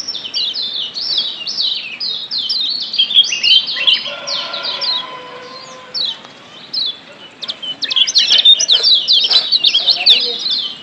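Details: Wild Lombok yellow white-eye, recorded as a lure to make caged birds sing actively, pouring out a rapid, high, twittering chatter of quick sliding chirps, pausing briefly midway before resuming in dense bursts.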